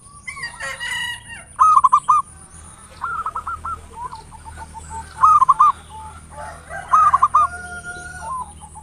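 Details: Lure recording of a local zebra dove in ngayer nulop style: repeated short cooing bursts of quick stuttered notes every second or two, with a softer trilled run and scattered fainter calls between.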